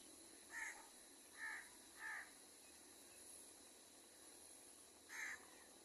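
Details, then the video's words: Wild crows, with a baby crow being fed and angry calls: short, hoarse caws, three in quick succession over two seconds and then another after a pause, over a steady background of insect hiss. "赤ちゃんカラスの餌と鳴き声 カラスの怒り"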